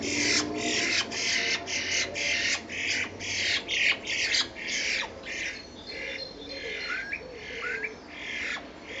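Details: Two common starlings, fighting or mating on 10 April 2011, give rapid rough squawks that later soften into slurred whistled notes.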